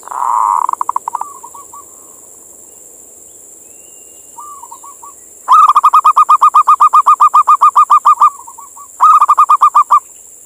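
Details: Male local zebra dove from Indonesia calling a female, a recording meant to lure other zebra doves to come or sing: soft rolling cooed phrases, then two loud bursts of rapid, even staccato coos, about four per second, over a steady high hiss.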